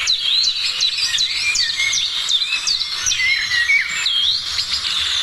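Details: Morning birdsong from several birds: dense, high whistled chirps and quick downward-sweeping notes overlapping continuously, with a faint low hum underneath.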